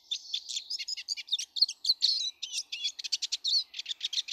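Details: Eurasian siskins, many of them in a garden on 19 March 2013, sing a fast, high, unbroken twitter of chirps and trills mixed with wheezy, buzzy notes, pouring out without pause.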